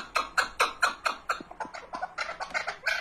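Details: Chukar partridge uttering strong, harsh chuck notes about twice a second, the series becoming quicker and softer midway before loud notes return.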